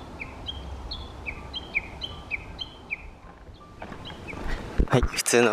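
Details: A Warbling White-eye on an early-morning mountain trail in the Okutama area of Tokyo, on a hot midsummer day, repeats thin, high, down-slurred notes two or three per second over a low hum, then loud rustling and knocking.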